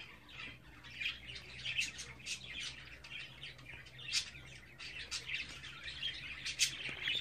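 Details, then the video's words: Twenty-four-day-old budgerigar chicks in captivity producing continuous high, rasping chirrups and squeaks, many short notes overlapping in a steady chattering stream with occasional sharper louder peaks, low hum faintly beneath. "Muhabbet Kuşu Serseri'nin Bebekleri #24.GÜN"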